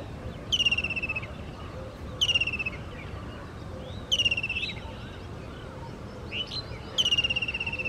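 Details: An Indian kingfisher calls four times, each a harsh, pulsed trill that drops in pitch, repeated every one and a half to three seconds; fainter short chirps from another bird slip in between, over constant background hiss.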